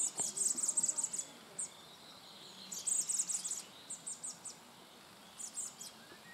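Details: Common blackbird young begging as the male feeds them, giving fast strings of piercing high-pitched notes in clusters of about a second, then scattered single squeaky calls against faint background noise.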